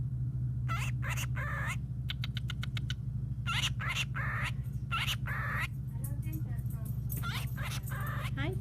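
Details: A pet cockatiel (Nymphicus hollandicus) talks, mimicking phrases like "pretty bird" and "pretty bird sunshine" mixed with short chirps; it also says "hi baby", "birdie birdie" and "happy birthday".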